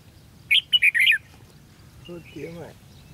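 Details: Red-whiskered bulbul from a 13 February 2016 fight-trapping session gives a quick warbling phrase of four bright, slurred whistles, followed by a man speaking softly.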